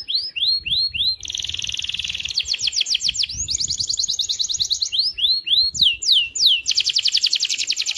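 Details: Canary singing energetically day and night, used to stimulate other canaries to sing: alternating descending swept whistles and fast rolling trills, several trill tours in eight seconds, faint low background noise.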